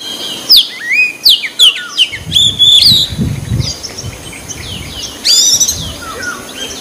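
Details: Wild white-breasted magpie-robin singing outdoors, song used to stir young birds into singing. Loud, varied high whistles with sharp rising and falling sweeps in rapid phrases, with a burst of low rumbling noise in the middle.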